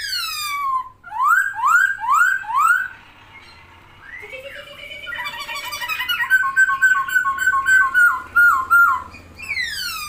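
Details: Chinese hwamei in full song, spreading its wings, delivering a series of rising whistled slurs, a low drawn-out note, then rich rapid repeated warbling phrases ending with a high descending sweep.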